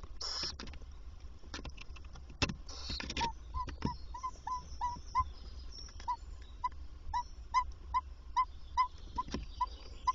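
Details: Female tawny owl visiting the nest box by day to feed the young; after some scratching and hisses, a run of short, soft, clipped notes repeats roughly twice a second, steady in pitch, over low rumble.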